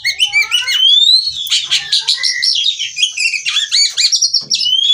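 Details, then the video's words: Singing female white-rumped shama, played to stimulate singing: a rising clear whistle opens a dense, rapid run of scratchy chirps and varied whistled notes, closing with sustained high whistles. "Kacer Betina Gacor Ngobra Bukor/Rayuan Kacer Betina Terapi Gacor Kacer Bahan"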